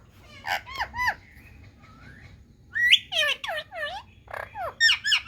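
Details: Indian talking parrot voicing a quick string of harmonic, swooping syllables, several falling notes in a row, then sharp rising squawks, with faint background rumble.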